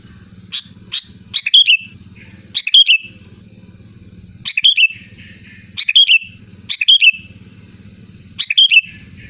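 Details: Loud, persistent sooty-headed bulbul song used as a lure to make others sing: short rollicking whistled phrases repeated every one to two seconds, with a low humming background.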